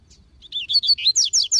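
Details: Double-collared seedeater singing in the bush beside a free-living seedeater, a vigorous run of bright, high, slurred whistled notes, about five per second, each louder and sharper than the last, over faint low rumble.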